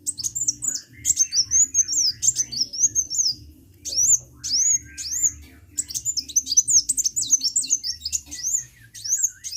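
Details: Energetic sunbird song made of quick bursts of high, squeaky, zigzagging chirps strung into long twittering runs, broken by short gaps and repeated several times over nearly ten seconds; a steady low hum sits in the background.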